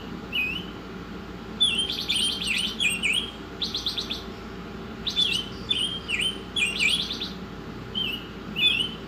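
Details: Oriental magpie-robin song from a masteran training recording: clear whistled notes that dip and rise, alternating with fast buzzy rattling bursts and thin high squeaks, phrases repeating with brief gaps over steady low background hum.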